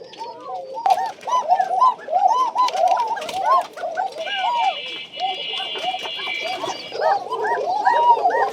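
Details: A flock of Tiger Bashiraj Koka domestic pigeons in a farm loft in Bagmara, Rajshahi, call over one another in short, overlapping, arching notes, with a steady buzzing drone rising for a few seconds in the middle.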